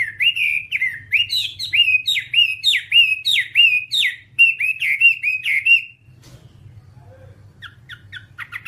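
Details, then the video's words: Whambie song, nonstop tutor recording for training kept birds: about fifteen rhythmic, down-slurred whistled notes, steady and bright, then a quiet gap with a few faint high chirps. "Masteran Whambie nonstop 1 jam"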